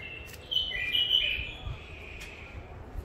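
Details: Bulbul taken from the wild around Mandali, Iraq, and kept in first isolation, delivers a single rolling, whistled phrase of about one second that slides downward, against a quiet, slightly noisy background.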